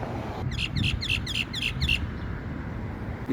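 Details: Myna climbing a pipe in strong wind that nearly knocks it off, looking left and right, gives a quick run of six bright, harsh, ringing notes, about four per second, over steady low wind rumble and faint voices.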